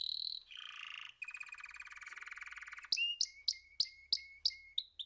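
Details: Canary song passing from a high whistled note to a lower buzzy roll and a long fine trill. It closes with a steady series of separate sharp chip notes about three per second.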